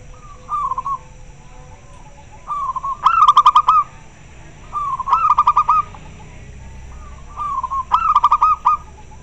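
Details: Local zebra dove calling clearly and answering another bird; soft mellow coos near one pitch, each phrase a short lead-in then a rapid stuttering run of bubbly notes, four phrases spaced about two seconds apart over a low background hum.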